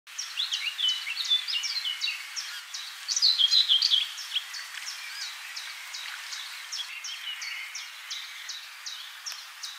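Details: A Eurasian coot pair with young at Soeterbeek-Bokt, Netherlands, on 28 May 2021. Thin, high peeping notes come in a rapid stream, about three a second, with a louder burst midway over a faint outdoor background.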